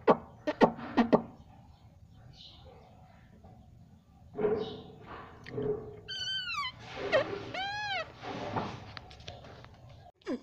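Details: Pet Indian ringneck parrot giving a few harsh arched squawks in the second half, mixed with knocks, rustling and clicking sounds in a room.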